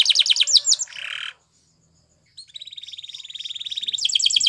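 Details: Spanish Timbrado canary song used for training canaries to sing: rapid falling high notes, a buzzy trilled phrase, a silent pause, then a metallic rolling trill building into fast repeated chirps.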